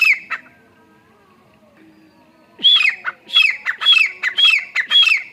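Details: Grey francolin calling: after a quiet start, loud harsh squawking phrases begin, each a high piercing note followed by a lower grating one, repeated roughly every half second.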